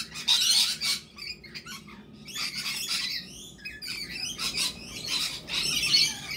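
Lorikeet giving harsh, screechy squawks in bursts, with high buzzy chatter between them, in a quiet indoor room.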